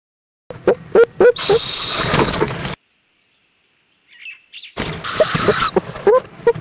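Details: Owl nest at 7:20 pm, 11 February 2014, in Indiantown, Florida, as the mother returns with a bug for her chick; loud, rough hissing screeches about a second long, with sharp clicks and knocks before each burst.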